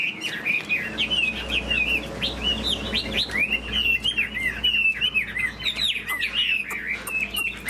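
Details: A caged Chinese hwamei flicks its fanned tail while singing a fast, varied warble. Many swooping whistled notes link into an unbroken phrase over a low steady hum.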